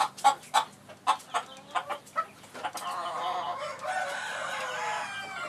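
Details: A Phoenix rooster, tail feathers muddied after rain, on 20 January 2013, gives about eight quick clucks, roughly two per second, then a long, harsh, slightly falling crow lasting nearly three seconds.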